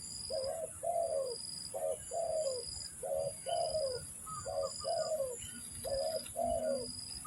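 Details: Spotted dove calls used as a lure for trapping: low hoarse coos around mid pitch in paired phrases, a short note then a longer one, repeated about every second, with steady high-pitched insect hiss and faint chirps behind.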